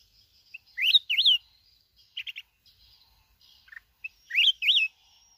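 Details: A wild-caught mountain red-whiskered bulbul from Bình Thuận, Vietnam, repeats its lively whistled phrase twice, each time rising and looping notes with clicky chirps between them, in an otherwise quiet setting.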